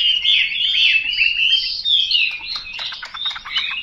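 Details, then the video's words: Chinese hwamei song as a continuous run of warbled, wavering whistles, becoming a quick stuttering series of short notes near the end. "Họa mi mộc dở"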